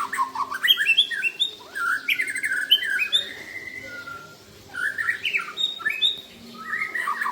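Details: White-rumped shamas singing against each other, with clear whistled slides, quick trills and chattering bursts in varied phrases separated by short pauses, a low hum underneath.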